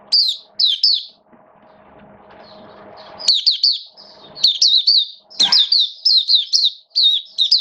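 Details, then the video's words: Oriental white-eye, a hobby bird being brought into singing form during wet, rainy weather, 8 October 2022: bursts of high, quick chirped notes in rapid clusters, paused by a short gap with faint low room noise. "Mata Puteh Buka Sing Raja"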